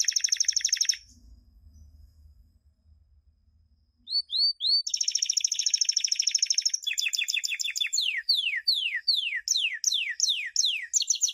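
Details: Canary champion song for tutoring young birds, 2016. A buzzing trill, a pause with faint low rumble, then three quick rising chips, a long rolled trill and a run of sweeping downward whistles.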